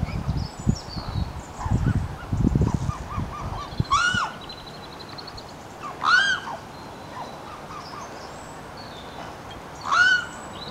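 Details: A mute swan in Britain, showing these swans are not really mute, gives three hoarse, nasal honking calls, each rising then dropping, spaced a few seconds apart, after a stretch of low wind rumble and faint short notes.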